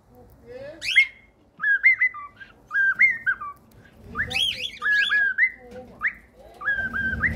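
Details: Cockatiels singing a whistled tune: short melodic phrases of two or three clear, stepping notes repeated several times, mixed with rising scratchy chirps and a soft, low background rumble.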